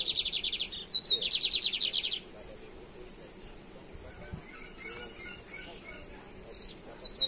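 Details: Brazilian lined seedeater, a bigodinho heard in 2023 for a caça rato versus torneado song comparison: two seconds of fast, loud, evenly pulsed buzzy trilling with a brief whistled note, followed by soft scattered chirps over steady background hiss.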